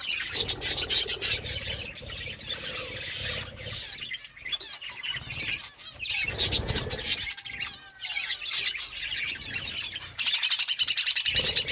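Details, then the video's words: Parakeet chirping while eating fruit: a steady stream of high, warbling, wavering chirps from several birds, broken by sharp clicks and crackling feeding noises, plus a few lower, drawn-out squeaks. "Parakeet eating fruit and chirping sounds"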